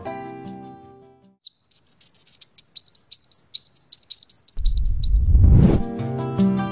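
A Black Sunbird sings a rapid run of thin, high, sharply rising chirps, about four each second, for several seconds; music plays before and after.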